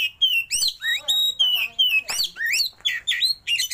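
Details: Oriental magpie-robin, a caged bird, singing a rich varied song with flared tail: loud whistled notes, slurred rising and falling phrases and harsh buzzy bursts, delivered in quick bouts roughly every third of a second.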